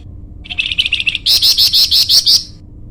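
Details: Flamboyan bird lure song: a quick series of about seven chirps, then seven louder, piercing ringing notes at an even fast pace, bright and high pitched.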